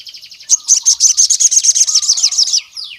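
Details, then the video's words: Sogon (Javan cuckoo-shrike) singing to provoke rival males: an even, rapid series of piercing high notes, about a dozen pulses, over faint lower twittering, ending in a falling slur. "SOGON GACOR MEMANGGIL LAWAN JANTAN"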